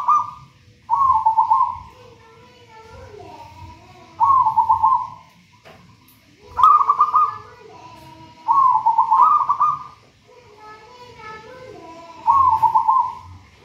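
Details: Wild-caught local zebra dove, taken from a banana plant nest, cooing steadily, used as a master bird for doves not yet singing well: a trilled, bubbling coo with lower soft notes, phrases about every four seconds.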